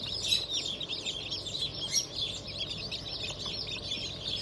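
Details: Crowd of just-hatched chicks from a 31 May 2023 hatch of turkey, Sebright, Sussex and Australorp breeds, peeping continuously in shrill, overlapping high notes that blur into a constant chirping din.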